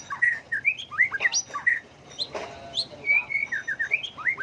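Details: Song contest provocation by a white-rumped shama, its voice shifting constantly: bright whistled notes and upward slurs come in rapid bursts, a brief pause, then smooth level whistles and rising flourishes.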